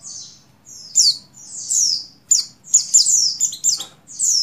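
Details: Female Oriental white-eye in breeding condition calling to the male: high, thin slurred whistles, each sliding downward, given in quick uneven bursts that grow busier toward the end, over a faint low hum.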